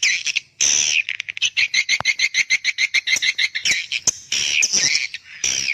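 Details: Young-swiftlet calling sound: buzzy bursts, then a rapid regular series of short chirps at roughly six per second, ending in loud rasping squawks.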